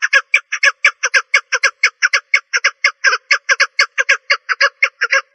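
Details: Female partridge calling in a fast, steady run of harsh, clucking notes, about five per second, each note rough and mid-pitched with a faint low undertone; no other sounds.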